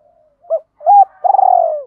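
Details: A single decoy spotted dove phrase meant to stir other doves: two short rising coos, then a long vibrating, purring coo that slides gently downward, in clean, quiet surroundings.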